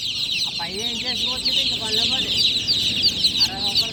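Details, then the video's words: A loud night chorus of newly hatched chicks, dense high peeps overlapping continuously, mixed with several lower, wavering harmonic voice-like calls throughout. "Tot Murgi Chicks Chirping Sounds - Just Born Baby Gallina FRACAS Chicks Piar Loudly Sound"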